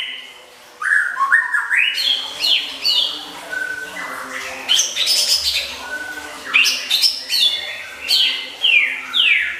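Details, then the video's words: Oriental magpie-robin, kept in a cage, delivering a rich masteran isian song meant for contests: dense bursts of high chattering notes, downslurred whistles and mimicked phrases in rapid sequences after a brief quiet start. "BERBAGAI MACAM MASTERAN ISIAN, SIAP MEMUKAU JURI"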